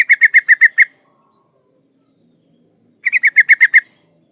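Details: Female yellow-vented bulbul in breeding condition calls a male with two bursts of about seven quick, harsh chattering notes, separated by two seconds of quiet; a thin high steady whine in the background.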